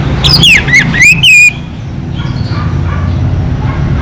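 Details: Local orange-headed thrush singing vigorously: a burst of loud, sweeping whistled notes that bend down and up in quick succession, then stop after about a second and a half, over a steady low engine-like hum.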